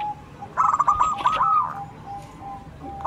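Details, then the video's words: One brief phrase of zebra dove manggung, among local doves calling back and forth: a bubbly rush of quick coo notes lasting about a second, set between faint drawn-out tones. "Perkutut gacor suara besar MANGGUNG saling sahut dengan perkutut lokal"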